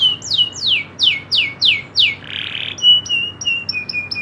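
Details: Local canary singing in loper style, a rolling 'nembak ngeroll' delivery: seven clear downward-sweeping whistles about two a second, a short harsh buzz, then a row of brief high, flat piping notes.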